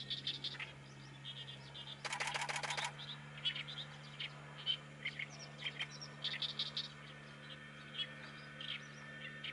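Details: Oriental reed warbler song of harsh, chattering syllables repeated in irregular bursts, with a brief loud rattling burst early on and a constant low hum underneath.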